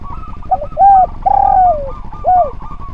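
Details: Spotted dove singing on a training track for other birds: a short soft note, then three mellow hooting coos, the middle one long and sliding downward. A faint warbling phrase runs underneath, with low steady background rumble.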